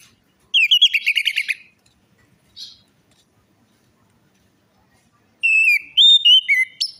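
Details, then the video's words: Orange-headed thrush song serving as a lure for a silent or stressed bird: two bursts of clear whistled phrases with rapid trilled notes, the second rising in steps, separated by several seconds of quiet. "pancingan Anis merah macet bunyi,males bunyi atau stres"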